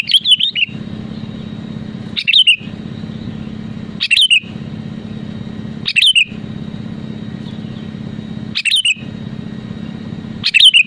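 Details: Kutilang, the sooty-headed bulbul, in full song meant to spur rival birds to sing: six brisk whistled phrases, each a quick tumble of clear notes sliding down, coming roughly every two seconds against a steady background hum.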